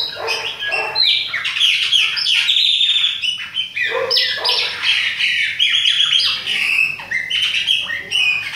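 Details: Chopi blackbird, young bird with another called Fumaça, Bahia type, in autumn; dense run of loud whistled and squawky notes, many sliding downward, delivered almost without pause.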